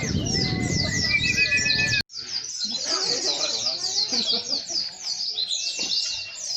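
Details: Several white-eyes singing at the launch of a singing competition held only for white-eyes in Boja, Kendal: dense, overlapping high chirps and rapid twittering trills run throughout, with people talking during the first two seconds.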